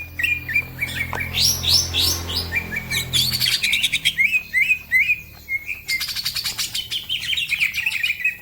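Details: Cucak ijo (green leafbird) in lively chattering song: varied whistled phrases and rising slurs, stretches of rapid crackling twitter, low rumbling hum in the first seconds.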